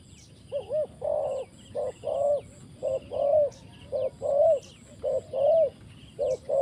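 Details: Spotted dove used for trapping, giving steady repeated coos, short notes followed by longer drawn-out ones, phrases coming nearly every second over a quiet background with faint high bird chirps.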